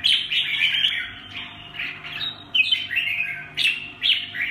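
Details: Red-whiskered bulbul of the short-crested 'mào cui' type singing rich warbled phrases that rise and fall, in bursts roughly every second, with a steady low electrical hum underneath.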